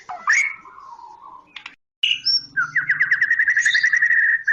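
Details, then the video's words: White-rumped shama of Medan type: a swooping whistle and soft falling warble, a short pause, then a fast even trill of repeated chip notes lasting nearly two seconds. "kicau murai medan"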